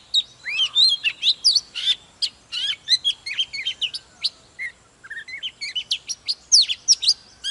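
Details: White-rumped shama, a wild-caught adult, in full excited song with display: a dense, fast run of varied chirps, twitters and short whistles, delivered almost without pause, with a brief lull midway before the rapid notes resume.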